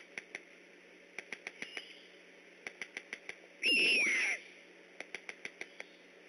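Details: Great horned owl near an eagle nest at Decorah on the night of 3 October 2015, on alert: one harsh, raspy screech lasting about half a second, with a faint whistled edge, among a run of sharp ticking clicks before and after.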